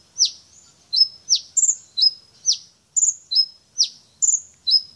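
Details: Brown-throated sunbird, described as a champion singer showing off its learned repertoire: sharp, high downward-swept chips alternate with shrill, trilled whistles and level piping notes, roughly two per second, in a clean recording.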